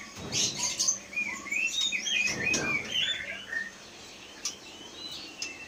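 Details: A captive white-rumped shama from Leuser, Aceh, caught in the forest as a fledgling in 2016 and caged since 2018, noted for above-average mimicry. It gives a varied run of clear whistles, slurred rising notes and quick twitters, then falls quieter with scattered sharp chips.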